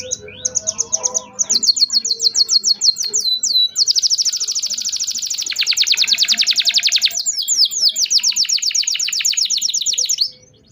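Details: Long canary song used as a stimulus for young canaries learning to sing: a few short notes open into sustained high rolling trills at varying speeds, ending abruptly near the tenth second.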